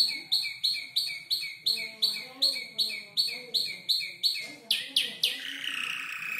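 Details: Five-month-old canary imitating other birds: a steady series of clipped, high double notes repeated about every third of a second, ending in a few loud sweeps and a buzzy trill.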